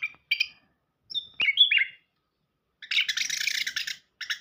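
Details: {'caption': 'Orange-headed thrush singing as a lure for a silent bird: a few scattered whistled notes and a slurred phrase, then a dense scratchy chattering burst after a short silence.'}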